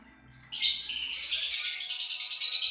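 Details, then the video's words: Lovebird bursts into a continuous harsh, rasping chatter that stays shrill and loud for over two seconds without a break. "LoveBirt_Bunyi suara burung"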